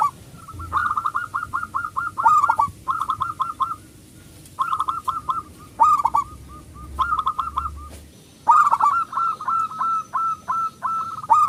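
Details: Local zebra dove, loud-voiced and in full song, used as a lure to stir other doves into singing: bursts of rapid, hollow cooing notes in runs of five to eight, pausing briefly between phrases, with faint higher chirps.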